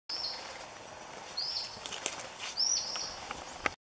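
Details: A Celestial monarch gives three thin, high whistled notes about a second apart, the last sliding upward, over steady forest hiss with a few faint clicks. Recorded in Surigao del Sur, Mindanao, Philippines, March 2017.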